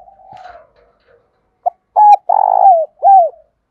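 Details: A spotted dove gives a soft opening coo, then a run of loud, mellow, hollow coos, a calling and cooing song meant to stimulate other doves.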